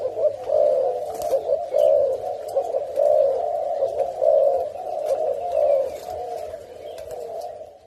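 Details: Courting male spotted dove, a tame fancy mutation kept in Thailand, gives a steady series of deep, soft, throaty coos, each swelling and fading roughly every second, over quiet indoor background.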